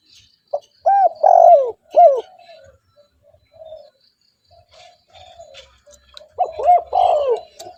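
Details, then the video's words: Spotted dove used as a lure for other doves: a burst of four loud, bowed coos, then a stretch of soft, low murmuring notes, then another cluster of loud coos. "TEKUKUR GACOR 💯 Ampuh untuk pancingan burung tekukur bahan"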